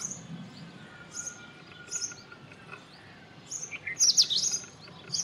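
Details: Singing Indian robin: scattered high chirps building to a loud rapid twittering flourish near the end, with brief pauses between phrases and a faint low hum behind.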